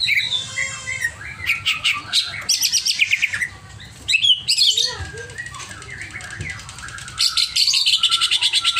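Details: Greater green leafbird singing in an over-emotional state: dense, busy chatter of high buzzy trills and chirps, a brief pause midway, then renewed rapid scratchy phrases and quick notes.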